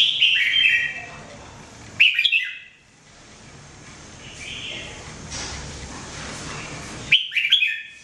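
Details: Red-whiskered bulbul singing in 2017: short whistled, warbling phrases at the start, around two seconds and near the end, with a steady hiss of background noise filling the quieter middle.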